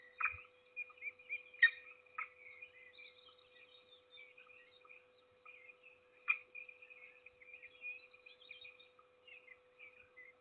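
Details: Peregrine falcon at Trzebież Forest District, Poland, 7 May 2022, feeding its single chick; jumbled high chirps and trills with several sharp harsh notes, one low knock, steady electrical hum throughout.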